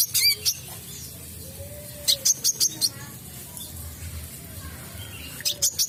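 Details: Olive-backed sunbird singing sharp, very high, tinny notes in quick bursts of three to five, with pauses between, over a faint low background hum; used to lure other sunbirds into singing.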